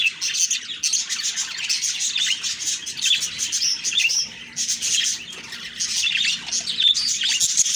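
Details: Budgerigar morning chirping that comes in loud bursts of dense, high twittering, separated by brief quieter dips.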